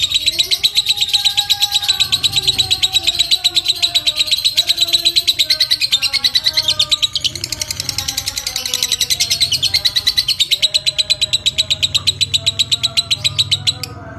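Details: Extended ngekek chatter of a fighter lovebird, used as bait for other lovebirds and as a master for other birds. Fourteen seconds of relentless high, rattling pulses over faint gliding whistles.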